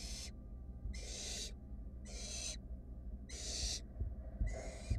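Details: Hungry wild barn owl chicks inside a research nest box still hunting for a mouse a sibling already swallowed; five long, breathy, rasping hisses spaced about a second apart, with faint knocks and scuffling underneath.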